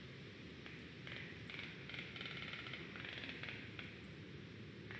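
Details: A Black stork at its forest nest in Estonia on 23 August 2021 gives rattle/defence sounds: short, dry, clattering bursts of rapid clicks over a steady low rumble of background noise.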